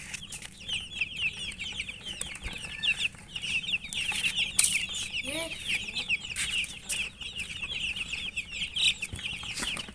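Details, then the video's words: Chicken chicks chirping while feeding, an unbroken chorus of high, rapid peeps from many chicks, punctuated by sharp clicks and occasional louder knocks. "Murgi chicks Chirping sounds and eating"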